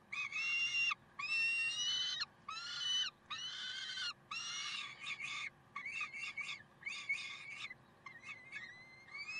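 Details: Peregrine falcon in Karlsruhe, 30 May 2010 at 6:56, giving harsh, rasping screeches, each drawn out up to a second, about once a second, over a low steady hum.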